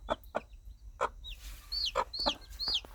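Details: Brief moment of a hen calling her baby chicks: a few low clucks followed by three clear, high, downward-sliding chick peeps over a steady background hiss.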